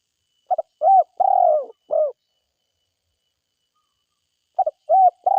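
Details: Spotted dove, an energetic forest caller, calling its four-part coo phrase: short pips, a rounded coo, a long burry coo and a closing note. After about two and a half seconds of quiet it starts the phrase again.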